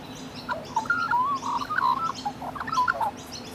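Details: Australian rainbow lorikeets cuddling and preening one another give continuous twittering chatter, a quick stream of squeaky whistles and short slurred notes with no real pauses, backed by a constant low electrical hum.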